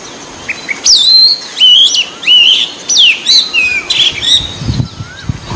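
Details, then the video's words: Oriental magpie-robin of the white-breasted form, singing in the wild: a series of loud, clear whistles, each bending or sliding, about one per half second, with a scratchy call and light rustling near the end. "Kacer Gacor Dada Putih Di Alam"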